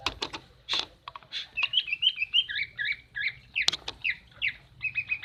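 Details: A female common iora calls to coax a non-singing male back into song, giving a busy chattering string of short, twisting chirps broken by sharp clicks, over quiet low background noise.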